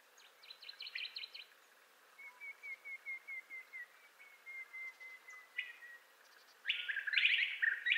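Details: ['Montezuma quail delivering its assembly or territorial call: a long, evenly spaced string of whistled notes sliding gradually lower in pitch, framed by buzzy trills from other birds before and a loud chattering burst afterward.']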